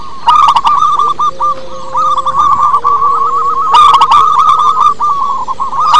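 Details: Wild local zebra dove in lively song, played as a lure: a rapid run of staccato coos, rising and falling, almost unbroken. Sharp clicking bursts twice cut in, and a faint steady tone sounds underneath.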